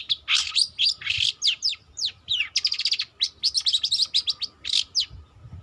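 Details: Juvenile long-tailed shrike practising its song, a continuous jumble of harsh chatters, quick upward and downward whistled slurs and buzzy bursts delivered in fast irregular phrases, with a faint constant hum underneath.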